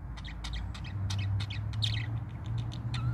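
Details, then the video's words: Parakeet singing its morning song, a rapid series of short chirps and warbled notes over a steady low hum. "pretty parakeet sings morning song"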